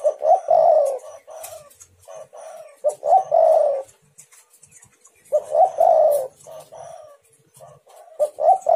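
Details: Spotted dove call for enticing rival doves to reply: several phrases of short stuttering notes ending in a sustained, softly falling coo, separated by short quiet gaps with light background clicks.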